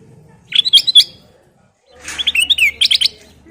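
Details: Bubbly song of a ruby-throated bulbul (kutilang emas): two bursts of rapid, varied chirps and short whistles, the second longer and faster, over a low hum.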